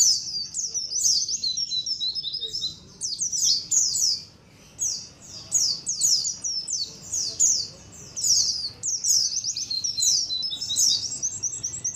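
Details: Many white-eyes calling together as a colony, a lure sound: continuous high, thin descending chirps in clustered runs, with brief lulls.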